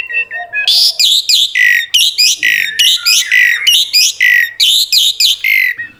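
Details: Energetic Asian pied starling song in full 'isian' style: a dense, steady stream of harsh, buzzy syllables. Sweeping whistled slurs repeat several times a second with hardly a pause.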